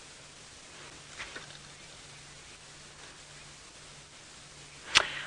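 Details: Steady low hiss with a faint hum, a few soft rustles, and one sharp click near the end; no animal voice.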